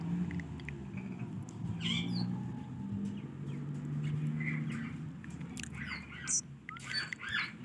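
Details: A pet talking ringneck parakeet gives scratchy, squawking bursts and short chattering phrases over a steady low indoor hum.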